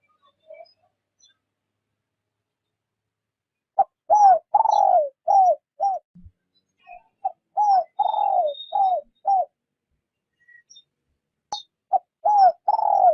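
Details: Lure spotted dove for trapping, calling gently after nearly four seconds of silence. Three cooing phrases follow, each a brief note, a drawn-out descending coo and a few short coos, separated by pauses.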